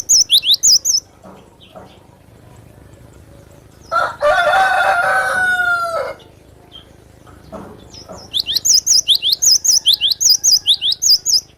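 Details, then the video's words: Cinereous tit giving short bursts of rapid, high wavy whistles at the start and a long repeated series at the end, interrupted midway by a loud rooster crowing for about two seconds. "Suara burung Glatik batu"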